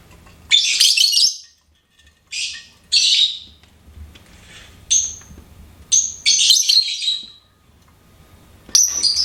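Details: Pet lovebird singing and chirping indoors: loud, shrill, scratchy bursts of rapid chatter lasting about a second each, separated by short pauses, with a few thin high squeaks between bursts.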